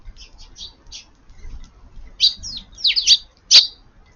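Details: Several Eurasian tree sparrows gather at midday under garden eaves while rain falls on 7 June. Soft high tweets lead into louder, sharp descending chirps in quick, uneven bursts, with a low background hum.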